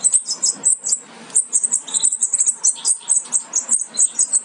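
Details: Nearly fledged European goldfinch chicks in the nest, from a Major carrying aminet crossed with a Parva Ancestral. They give a rapid, continuous stream of thin, very high squeaky chirps, several each second, with a quiet indoor hum below.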